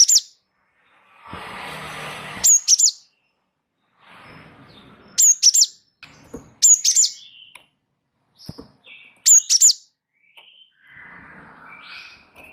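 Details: Wingko Java sparrow singing as a tutor recording to spark song in other birds: short bursts of high, sharp double and triple chirps spread through the clip, with a brief patch of rustling noise and soft clicks.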